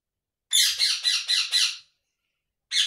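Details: Indian ringneck parakeet kept as a pet, giving a harsh grating series of five quick squawks run together, a pause, then one more sharp squawk, in a quiet room.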